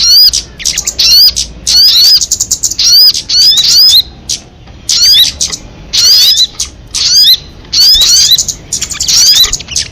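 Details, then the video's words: Crested jay heard in clipped, grating high-pitched bursts, many ending in a sharp rising whistle, grouped in uneven clusters with gaps of about a second. "Suara MP3 burung sogon kamade"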